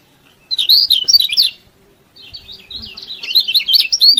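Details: Yellow-bellied prinia singing energetically to goad other prinias into song: a burst of high, jumbled chirping twitters, a brief pause, then a longer run of sharp, squeaky notes.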